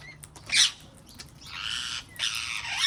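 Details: Harsh, grating screeches from wild parrots in a garden: one short squawk, then two long, buzzy, rasping calls close together.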